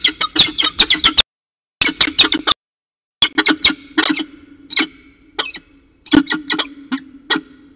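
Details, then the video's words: Peregrine falcon pair at their nest at CSU Orange in the evening, 11 December 2018, around 6:45 pm: loud, harsh, rasping notes in rapid bursts, broken by two short silences, then more scattered grating calls over a steady low hum. "Peregrine Falcon Xavier And Diamond Evening Conference"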